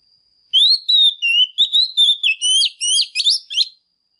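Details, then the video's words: Female Oriental magpie-robin, song to stimulate male birds: after a brief silence, a fast burst of sharp whistles and rising slurred notes, roughly ten to twelve phrases over three seconds, then stops. "Chòe than mái kích trống HÓT CĂNG"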